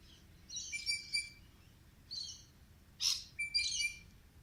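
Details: A bird singing: quiet bursts of high, thin chirps and twittering, each under a second, separated by short pauses over soft background noise.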